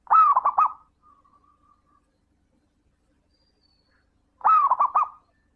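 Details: Zebra dove singing steadily as a lure for other doves: two rolling cooing phrases, each a clear note then rapid stuttered coos and a soft trailing hum, about four seconds apart.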